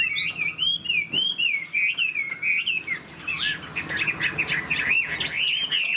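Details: Caged Chinese hwamei sings a series of rolling, wavy whistled notes in regular bursts, then breaks into faster, more varied warbling with higher sharp notes.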